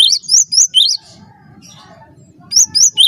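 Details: Brief cinereous tit song, a master recording for bird training: three quick ringing whistled notes, a silent-sounding gap over a low hum, then three more high, upward-sweeping notes.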